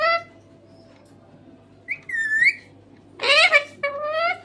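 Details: A talking green parrot gives a brief opening note, a gap, then a gliding whistled phrase, a harsh speech-like burst, and a smoother drawn-out syllable to close.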